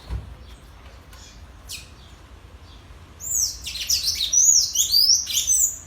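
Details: Sanhaço singing in a song contest with a free wild bird: after quiet noise, a burst of high, sliding, squeaky whistled phrases runs over the final two and a half seconds.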